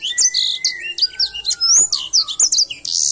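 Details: Edel Sanger canary in full song: rapid high whistled and chirping notes, sharp upward and downward sweeps tumbling together, with a long steady lower whistle running beneath the first half.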